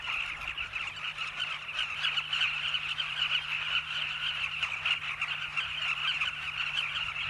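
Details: Nesting colony of migrant Southern carmine bee-eaters in South Luangwa National Park, Zambia: an unbroken wall of overlapping, rolling calls from many birds at once, with a faint low hum beneath.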